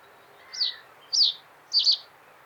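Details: Common reed bunting song: three short notes around 4–6k, two descending chirps about half a second apart, then a quicker doubled buzzy note, over faint steady background noise.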